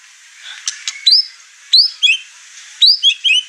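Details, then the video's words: Agitated white-rumped shama showing off its repertoire among other household birds: a few clicks, then bright whistled phrases of rising and falling notes, repeated about three times. "Murai Batu Over Emosi Bongkar materi"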